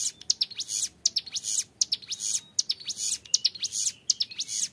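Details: Young hill prinia singing actively in the long ngebren style, used as a tutor recording: rapid bursts of high, buzzy, sharply rising notes packed into clear phrases, roughly one burst every second, with faint background hiss.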